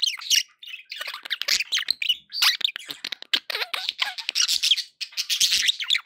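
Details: Lively budgie chatter for keeping pet parakeets company: continuous rapid clicks, chirps and harsh warbled squawks, busy throughout with only a couple of brief lulls.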